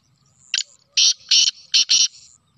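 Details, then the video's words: Sindhi black francolin calling on 25 June 2024, one brisk rasping series: a clipped opening note, a pause, then four coarse, buzzy, grating notes, the last two closely paired, over a quiet background. "Kala Teetar Ki Awaz"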